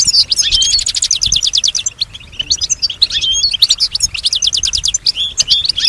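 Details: Pet European goldfinch singing and reportedly imitating nearby sounds: rapid bright twittering in dense bursts, quick chirps tumbling together at roughly three per second, with a brief lull midway before rattling twitters return.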